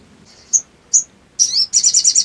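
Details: Sooty-headed bulbul song used to stir up another bird: two separate sharp high chips, then a slurred downward note and a quick run of trilled chirps.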